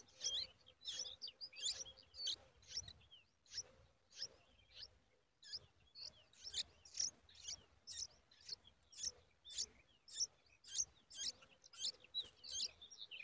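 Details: Yellow-tailed bulbul chicks crying from hunger while their mother feeds them: high, thin, squeaky begging chirps in rapid overlapping bursts, nearly two a second, over a faint steady hum.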